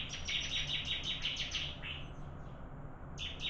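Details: Bar-winged prinia in a singing contest gives a brisk run of sharp, high, evenly spaced chips, falls quiet, then starts a new phrase at the end.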